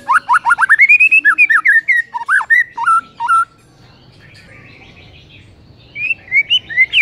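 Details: Masteran recording of a white-rumped shama's morning song. A rapid flurry of rising whistles and clear slurred notes is followed by a quiet pause, then the song resumes with a few bright upslurred phrases.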